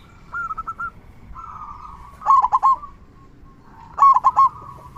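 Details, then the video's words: Zebra Dove, local type, singing with a big 'kung' voice; gentle coo strings alternate with louder, sharply accented triple-note bursts about every 1.7 seconds. "Perkutut Lokal Gacor Suara Kung Besar"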